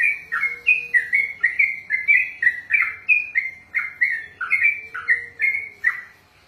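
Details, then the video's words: Sooty-headed bulbul (trucukan) kept as a songbird, in a 'ropel' sequence of loud liquid whistles, quick high-low phrases tumbling one after another, ending with a short silence; a faint steady low tone sits beneath. "ROPELAN BURUNG TRUCUKAN TERPANJANG DALAM SEJARAH"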